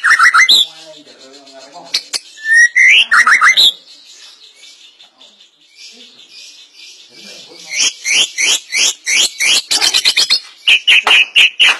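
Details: White-rumped shama singing loud bursts of ringing notes and chips, a quieter stretch with soft low murmuring, then a long rhythmic series of sharp repeated notes.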